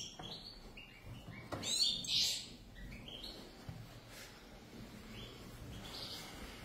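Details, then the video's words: Pair of European goldfinches, a burst of rapid twittering and chirps, loudest near the start, then scattered single tinkling notes over a faint background hum. "زوج حسون لطيف"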